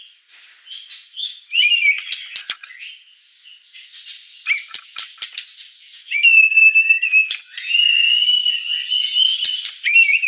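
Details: Murai batu, the White-rumped shama, singing a training song meant to provoke: sharp clicks and brief whistles, then long steady whistled notes with buzzy overtones, broken by quick chatters.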